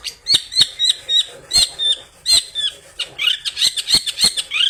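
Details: Long-tailed shrike pouring out mimicked phrases as a singing lure for other shrikes: short high whistled notes with sharp clicks, repeated about three times a second, ending in quicker rising chirps.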